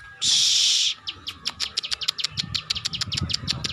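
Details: Ciwah, also called the klik klik bird, singing energetically; after a brief loud hiss, a run of quick, high, dry clicking notes follows, about three per second and slightly uneven.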